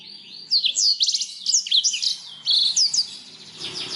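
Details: Canary song meant to make other birds sing more: high sweeping whistles and quick chirp series, with a short buzzy trill near two and a half seconds and faint background noise.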